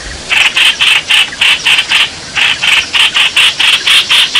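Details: Bulbul seeking a mate, 28 May 2021. After a quiet start, it gives rough, buzzy notes at an uneven pace of about two to three per second, with one short gap.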